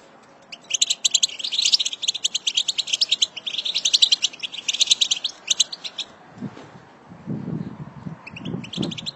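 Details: Female European goldfinch twittering, a group song used to excite goldfinches into singing: rapid high chattering bursts for about six seconds, then a pause with low dull thumps before brief twitters resume.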